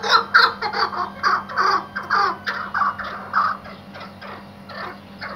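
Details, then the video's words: An Iraqi white hunting partridge gives harsh, chuckling calls in a rapid, uneven series, several notes each second, with overlapping calls suggesting more than one bird. "MUHTEŞEM KEKLİK HENGAMESİ"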